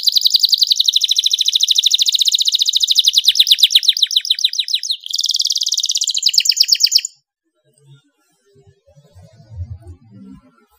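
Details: Canary song to prompt other canaries to sing: a long, fast, loud rattling trill lasting about seven seconds with a brief change in pattern midway, then near silence with faint low rustling.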